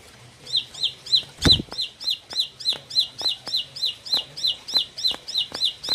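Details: Four-month-old Bar-winged prinia of the clicking type gives a fast run of sharp, high clicking chips, about three per second, steady and repeated, with a single loud knock partway through.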